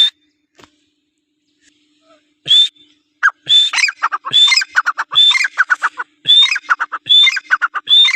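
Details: An Iranian francolin, quiet at first, then calling steadily: bright whistled notes, each followed by a burst of rapid lower clucks, repeated in close succession.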